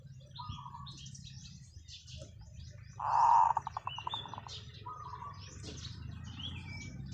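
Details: Zebra dove giving a long call as a decoy bird. One loud, full coo is followed by a rapid run of pulsed coos that fade over about a second. Faint chirps from other birds and a low steady hum fill the rest.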